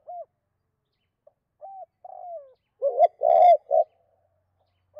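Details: Calling spotted dove in '2 cốt' style, used to lure and provoke wild doves. Soft separate hoots and a slurred downward note build into a rough doubled coo, a loud vibrating coo and a short closing hoot.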